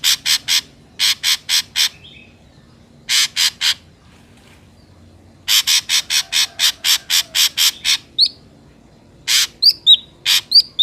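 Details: Ashy drongo sound used as a lure for trapping birds: bursts of rapid harsh, buzzy broadband notes in runs of three to eight, about four per second, with a few short whistled slurs between runs.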